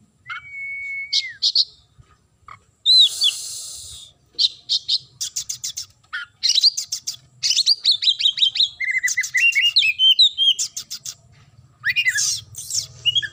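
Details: White-rumped shama, called kacer, singing vigorously: a long varied stream of sharp high chirps, rapid trills, buzzy rattles and a few clear whistled slurred notes, delivered in fast bursts with brief pauses, over faint low background hum.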